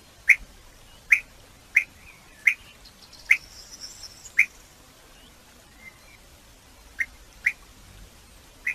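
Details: Distant European bee-eater: single short rolling notes spaced about a second apart, over a steady background hiss.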